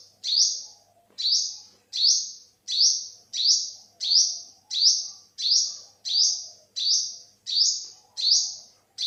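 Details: In this 2021 recording the olive-backed sunbird repeats its thin, high, upward-flicking note about thirteen times, roughly every 0.7 seconds, in a clean, quiet setting.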